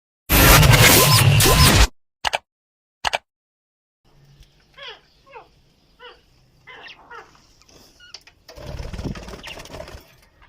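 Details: Aviary budgerigar pair, readying for a third clutch with chicks, giving short, curved chirps repeated about twice a second after a burst of loud noise.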